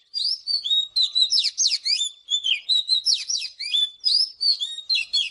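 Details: Oriental magpie-robin singing in the morning, recorded for voice training: a rich, fast run of varied clear whistles and sweeping slurred notes, mostly high-pitched, about three phrases a second with short gaps.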